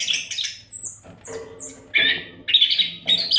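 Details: Oriental magpie-robin (kacer) training song: rasping, buzzy squawk-like bursts alternating with thin high whistled slides.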